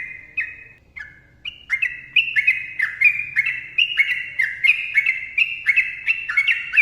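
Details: Yellow-vented bulbul in full long rapid 'ropel panjang' song: bubbly, liquid whistled notes in quick two-note slurred phrases, many stepping downward, delivered almost without pause. A faint low hum runs beneath.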